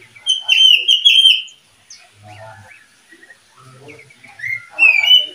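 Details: Oriental magpie-robin, one of a kept breeding pair, singing loud, clear whistled phrases. Sliding notes and short warbles are separated by brief pauses, and a faint low hum comes through now and then.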